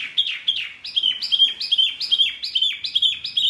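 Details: Wambi bird with a noisy, provoking call: a rapid series of bright, whistled notes that rise then fall, about two and a half per second, in an even chatter.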